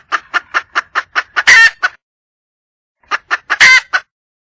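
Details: Wild red junglefowl hen calling for a male mate: a run of short, evenly spaced clucks building into a loud, harsh, drawn-out squawk, then after a pause a second run of clucks ending in another loud squawk.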